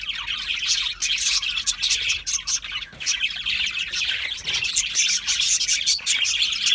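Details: Continuous high budgerigar twittering, with quick chirps and warbled notes tumbling over one another and brief dips between bursts.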